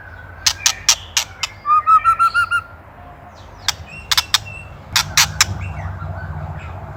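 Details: Softer passage of Indonesian white-rumped shama master song for songbird training: crisp isolated clicks and a short even series of low whistled notes, with noticeable background noise and hum.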